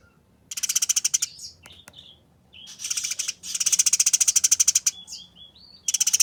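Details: Eurasian tree sparrow fighting, a harsh, rapid, fast-paced chattering call: dense rasping bursts of quick pulses lasting about a second each, separated by short gaps with thin, faint whistled notes.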